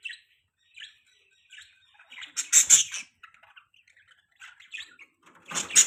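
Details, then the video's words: Budgerigar chirping: soft scattered tweets build into loud, sharp, high-pitched chirps and squawky bursts, then quiet chatter, ending with another loud chirping outburst. "Beautiful Budgies Chirping Sounds | Budgies Parrots Chirping Sound"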